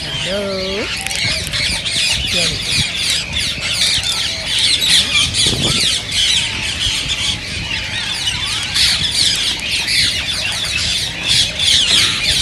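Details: Rose-ringed parakeets, whose voices are said to encourage other parakeets to sing and breed, keep up a busy, high, scratchy chorus. A lower wavering call from another bird sounds at the start.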